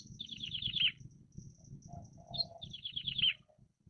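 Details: Wild plain prinia, known locally as ciblek sawah, singing vigorously: two bursts of quick, buzzy notes sliding downward, about a second apart, with a faint low hum underneath.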